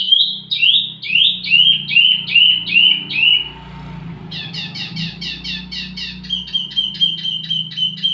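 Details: Wambi mini song for luring and tutoring flowerpeckers: a string of sharp downslurred notes, a brief noisy pause, then rapid evenly repeated notes over a low background rumble.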